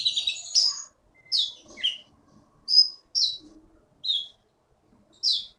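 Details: Caged champion Blue-winged Leafbird, caught in the Bangka forest and a winner at Bangka Belitung song contests, singing loud, separate high chirped and slurred whistle phrases, about one every half second to second, with quiet pauses between.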